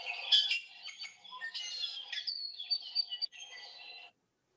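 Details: An ʻIʻiwi, a native Hawaiian bird, gives its whistled, squeaky call type: a rapid jumble of squeaky, creaking notes and thin high whistles, varied in pitch, over about four seconds.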